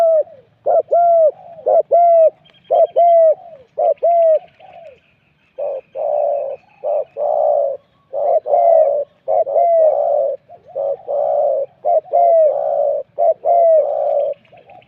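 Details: Spotted dove used as a decoy to lure wild doves at spot 41. Loud, rich cooing phrases at a mid pitch repeat steadily through the whole recording. Each phrase mixes rolling coos and short upslurred notes, separated by brief pauses.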